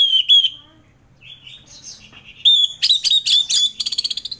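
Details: Orange-headed thrush in varied song, meant to stir thrushes reluctant to sing in the morning: sliding whistles, a soft murmured passage, then loud rapid high notes ending in a fast rattling trill.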